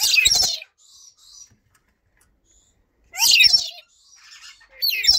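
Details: Blue-streaked lory giving short harsh screeching bursts, one near the start, one after three seconds and another at the end, separated by near silence.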